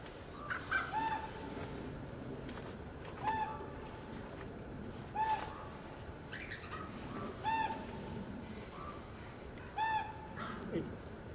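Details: Ravens calling at a winter bait site watched from a blind in New York, with bald eagles nearby: short harsh calls with stacked overtones repeat about every two seconds, five or six times, over a soft background hiss.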